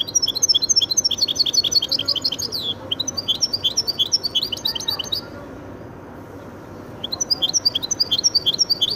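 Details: Singing goldfinch and canary cross: sustained fast rattling trills of high notes for several seconds, a brief silence, then the trilling resumes.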